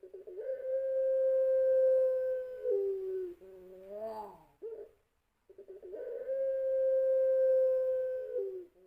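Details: Champion-bred puter pelung dove giving its long-voiced lure coo: a steady, drawn-out hum held about two and a half seconds, dropping at the end, then a short wavering rising-falling phrase and silence before the long note returns.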